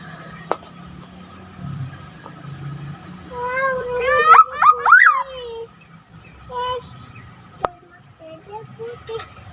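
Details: Black-naped oriole making an unusual sound: a cluster of nasal, harmonic notes that bend up and down, with faint clicks, a low hum and a quiet room background.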